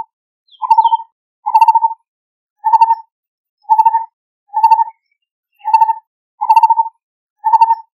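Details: A lineated barbet (Psilopogon lineatus) calls to its mate with eight hollow, throaty low notes, about one a second in a steady series, with a faint higher chirp near the start.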